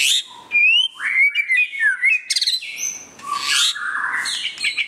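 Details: Display song of a white-rumped shama: rising whistled slurs, a rapid trill, then rich, fluting and buzzy notes sweeping down and up, varied and musical.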